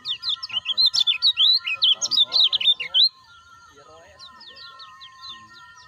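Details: Lemon-bellied white-eye, a caged bird, with calls used as a lure to get other caged birds calling. For about three seconds it gives rapid, high, twittering chirps, each note sliding up and down, then goes quiet with a few faint notes. A steady low hum runs throughout.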